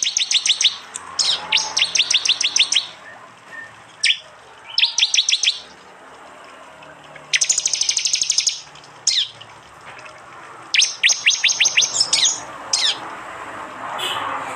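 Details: Prinia in East Java, recorded by Android phone for a songbird training mix in the 'tembakan' style. Repeated short bursts of quick, high, clicking trills are separated by brief pauses, with some swept chirps mixed in.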